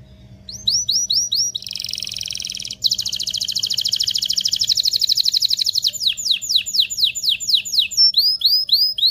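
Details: Canary singing vigorously to stimulate mating, mixing rising arched notes, a long dense buzzy trill and then a steady run of rapid repeated notes with arching chirps at the end.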